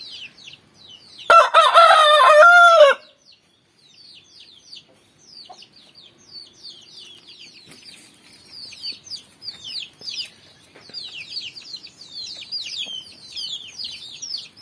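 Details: Rooster crowing in the morning: one loud, harmonic crow lasting about a second and a half, followed by a steady chorus of thin, high chick peeps continuing to the end.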